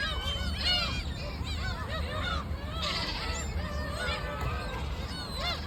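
A flock of gulls calling over one another: harsh, nasal, arched yelps tumbling together without pause, over a steady low rumble of wind and surf.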